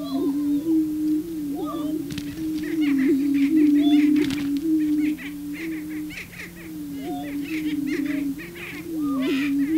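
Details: Prairie chickens on the booming grounds, males displaying to attract a female: a low, steady, hooting drone from several overlapping birds, broken by sharp higher whoops and cackles, with occasional camera shutter clicks.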